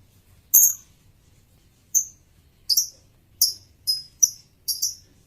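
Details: Male lovebird producing piercing high chirps, first widely spaced, then coming in quicker pairs toward the end, with a soft low hum behind.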